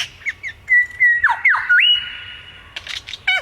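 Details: A bird gives long steady whistles broken by dipping, squeaky slurs, then a burst of harsh chatter and a final short falling note.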